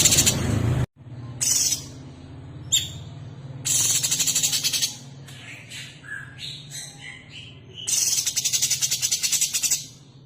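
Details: Female sooty-headed bulbul (cucak cungkok) calling to the male: loud harsh rattling bursts alternate with short clear whistled notes at varied pitch, over a steady low hum.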